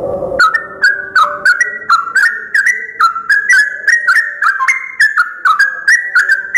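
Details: Yellow-vented bulbul singing at dawn, among the first birds heard in the morning: a quick, bubbly run of clear whistled notes, about three a second, each stepping up or down in pitch, after a brief low rumble.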